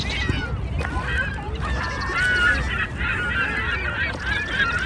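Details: Fighting ducks on the Seine opposite the Eiffel Tower: a dense chorus of nasal, honk-like calls, many birds overlapping and wavering up and down, continuing throughout against a constant low traffic and water rumble.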